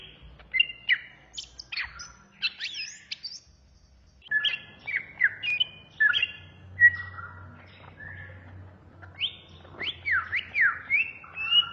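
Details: A greater green leafbird tutor recording from Indonesia: a varied, jumbled medley of chirps, slurs and sharp whistles, with a brief quiet break after four seconds before the chattering resumes. Softer overall.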